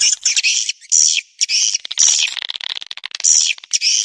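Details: Swiftlet call used as a lure to draw birds in, in Indonesia: dense high twittering chirps in bursts, some with short whistled notes, separated by brief pauses.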